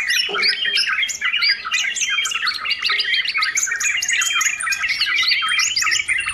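Yellow-vented bulbul in busy, non-stop chatter: bright, bubbling and squeaky notes tumble over one another with no pauses, high and lively throughout.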